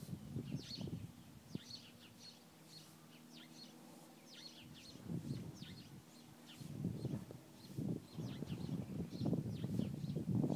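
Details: Birds singing in a bamboo forest the day before snow, with short high chirps repeated in quick bursts over a low rumbling background noise.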